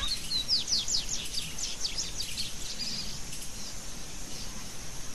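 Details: Double-collared seedeater (Sporophila caerulescens) gives a quick run of high, thin, slurred twittering notes lasting about three seconds, over a steady low background rumble.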